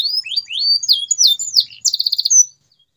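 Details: Canary song in the gacor manner, aimed at stirring silent canaries to sing: rising whistles, quick slurred notes, then a brisk buzzy trill that stops abruptly.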